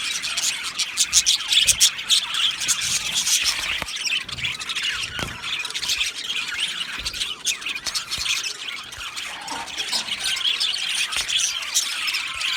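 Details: A colony of male budgerigars in an aviary, recorded 8 December 2025, produces loud bursts of high chirps and squawks in an overlapping chatter. A few sharp clicks or knocks break through.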